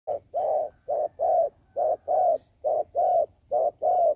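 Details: Decoy dove used by trappers to lure wild doves, cooing in low, mellow hoots; short and longer notes alternate in a steady paired rhythm, about eight notes in four seconds, with a faint low hum behind.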